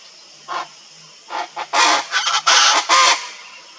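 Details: Pantanal song of the wild Chaco chachalaca: a few scattered harsh notes, then loud raspy rhythmic calls building in short bursts from the second second onward.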